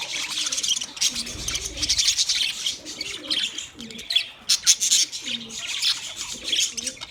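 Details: A dense wash of high, buzzy budgie chirping runs throughout, along with clicking sounds and some lower rounded notes underneath.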